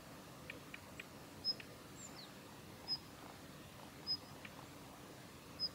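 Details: A female Daurian redstart giving contact calls at the Kitafuji training area on 7 November 2021: thin, high whistled 'hiit' notes about every second and a half, with a few soft ticking clicks between them.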